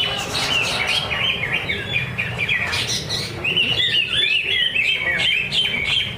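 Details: Greater green leafbird song from a practice singing competition at Danau Bumi Restu, Cikunir: dense, lively series of clear whistled notes and quick twittering slides, nearly continuous for several seconds amid steady crowd noise.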